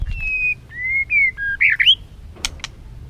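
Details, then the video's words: White-rumped shama stimulated to sing varied voices: a run of clear level and slightly falling whistles, then quick warbled twisting notes, followed by two sharp clicks. "Kích Chòe lửa hót nhiều giọng"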